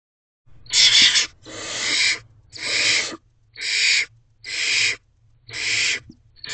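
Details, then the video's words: Hungry barn owl owlet in a nest box calling to its mother that it is dinner time, evening of 3 May 2023 after rain brought many insects; harsh drawn-out hissing screeches repeated about every second, six in a row. "Letting Mom Lucy Know It's Dinner Time."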